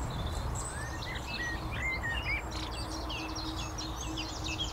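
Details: Eurasian skylark singing a continuous, rapid warbling stream of high chirps, trills and whistled slurs, some rising, with no pauses; a low rumble of traffic noise runs underneath throughout.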